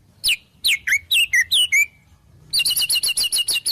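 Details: White-rumped shama song loaded with wild-bird fill-ins: clear downslurred whistles, then a brisk repeated burst of high metallic notes, about two per second or faster.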